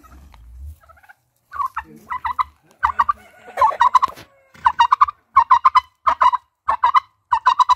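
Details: Turkey giving a long series of quick, throaty gobbles. Short rattling bursts come about every half second and grow steadier and louder through the second half.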